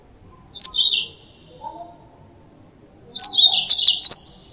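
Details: Yellow-fronted canary song for luring birds into traps: a short high chirping phrase, a faint lower note, then a longer run of rapid, sharp twittering notes after a two-second pause.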